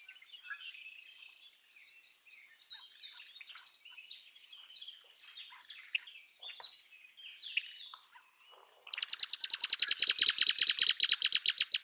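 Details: Red-winged blackbird singing after a long stretch of soft, jumbled high chirps and twitters; then a loud, fast, rattling trill of rapid pulses begins and runs on for about three seconds to the end.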